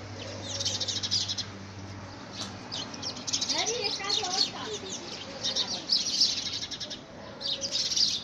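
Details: House sparrows fighting among themselves to take over a man-made nest, first week of February 2017, giving rapid, overlapping chirps in busy bursts, with a low steady hum underneath.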